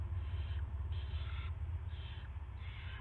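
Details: Nesting owl, early morning of March 9, 2016, rat brought to the nest: four raspy, wheezing hisses of about half a second, irregularly spaced, against a steady low hum.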